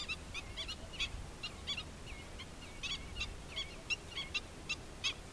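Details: Black-winged stilt, an adult accompanied by chicks, repeating short, clipped, nasal kek notes at an uneven pace, mixed with a few thin, higher whistled squeaks, against a soft background hiss.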